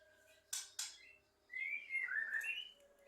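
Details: Chatty Javan myna, said to talk and mimic coughing, indoors: two sharp clicks, then a loud wavering whistled phrase that slides upward, dips, and rises again over about a second and a half.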